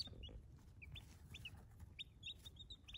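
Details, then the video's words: Baby chicks peeping softly, short high downslurred peeps scattered across a few seconds over a steady low rumble. "Cute Baby Chicks ASMR"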